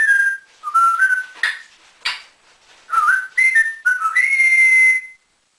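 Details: Captive male African grey parrot in a home, trained over two years to whistle like a builder, produces loud looping whistled phrases that rise and dip, broken by a breathy hiss, ending on a long rising whistle.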